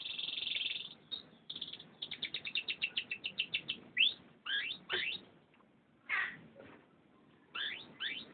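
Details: Singing canary opening with a sustained buzzy note, then a steady trill of about a dozen evenly spaced clipped notes, followed by loud, slurred, descending whistles in twos and threes with brief silences between.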